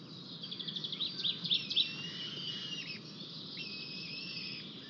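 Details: White-tailed eagle at an Estonian nest with a new chick, 4 May 2023, as an adult brings a fish: a quick series of high, yelping notes that speed up over two seconds, then thinner high calls over hiss.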